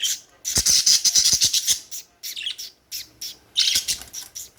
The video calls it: Budgie's / Birds Chirping Sounds